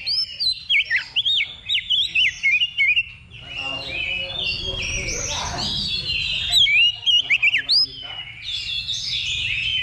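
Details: Oriental magpie-robin singing at a level-two simulated song contest held as practice before competition: loud whistled phrases that swoop and warble, in quick bursts between rasping chatter, with people talking in the background.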